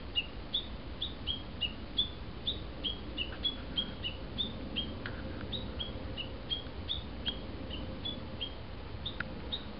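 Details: A Japanese bush warbler in an overgrown home garden in Kawasaki, Kanagawa, Japan, a yearly visitor that calls loudly from early morning. It gives a long series of short, high, sharp notes, about three a second, over a steady background hiss.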